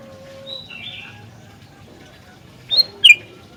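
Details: Sooty-headed bulbul: soft thin whistles first, then after a pause two loud, sharp, bubbly notes in quick succession near the end, over a low background hum.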